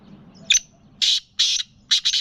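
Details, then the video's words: A cross between a Gangas lalpotia and a Sindhi black francolin calls loudly: one brief clipped note, two drawn-out scratchy buzzes and a closing stuttered double note, with soft low rumble behind. "Gangas lalpotia Cross Sindhi kala Teetar ki awaz"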